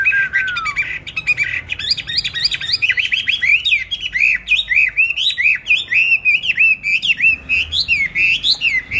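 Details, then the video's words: Kept songbird, bought on 19 May 2020 and given steady care and feed, singing a lively, varied song of quick chirps, rising and falling whistled notes and short trills, repeated almost without pause over a faint room background. "Chăm chim đều tay ,cám ổn định hót mọi địa hình ,mọi giờ giấc"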